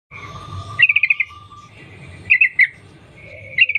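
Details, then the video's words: Wild Yellow-vented Bulbul, used as a lure to make other bulbuls sing, giving long linked 'ropel' phrases: two quick bursts of bright chirping notes separated by a pause, over a steady low hum. "Trucukan gacor Sambung ropel nguplik alam liar | pancingan trucukan agar bunyi gacor"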